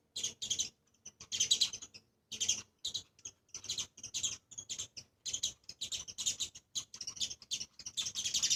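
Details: A sparrow pair with their two young, visiting a 7th-floor spot among trees while eating grains and greens, chirp busily in quick bursts of two to four short bright chirps, almost nonstop with brief pauses.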